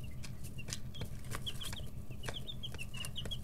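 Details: Several backyard chicks, 11 to 13 days old, kept in a brooder and very noisy: repeated short high peeps, some slightly descending, over a steady low rumble and occasional pecking taps.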